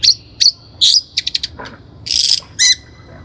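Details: Long-tailed shrike lure recording for training birds, with harsh buzzy squawks, a rapid trio of chips, and a loud grating burst followed by a sharp squeak.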